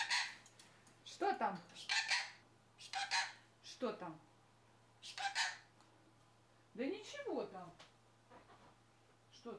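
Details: Talking sun conure, a pet that says "что", "что там" and "пока-пока". A series of short, strained, voice-like phrases falls in pitch and often comes in pairs, repeated about every second or two, over a low electrical hum.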